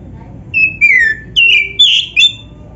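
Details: Oriental magpie-robin, black-breasted variety, giving training song for other birds: a few long, clear whistles, some sliding down and one swelling note held longer, with short silences between them.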